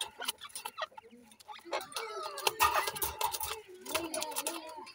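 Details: Grey francolin chicks, known locally as dakhni teetar, raised in captivity for breeding, giving low clucking notes and brief tonal chirps amid a steady clatter of clicks and knocks. Faint voices in the background.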